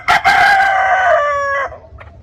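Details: A rooster on a poultry farm crows loud and close: two sharp opening notes, then a long, steady, slightly falling drawn-out note lasting over a second, and a quiet tail.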